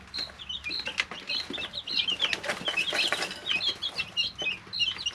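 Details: A group of 3-week-old chickens in an indoor brooder keeps up a steady chorus of shrill, high peeps, some slurred or trilled. Broadband scratching and pattering sounds break in throughout.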